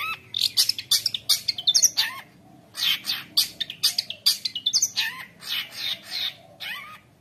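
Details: Long-tailed shrike (cendet) in full, vigorous song packed with imitated phrases, used for tutoring young shrikes and provoking others to sing; rapid burst of sharp chirps, squeaky whistles and harsh notes, with brief pauses between flurries.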